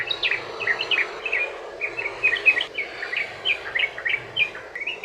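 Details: Yellow-vented bulbul singing a long 'ropel' song used to provoke other bulbuls into singing: rapid, slightly scratchy chirped notes in an uneven tumbling series over a soft background hiss.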